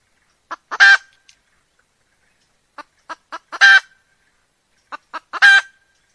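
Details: Hen repeating a phrase of two or three quick clucks climbing into a long, coarse honking squawk, three phrases in a row with silence between.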